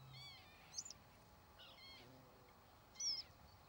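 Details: Northern lapwing (Vanellus vanellus) calling in flight, a few strained, nasal notes that slur downward, the loudest near the end, with a faint steady hiss behind.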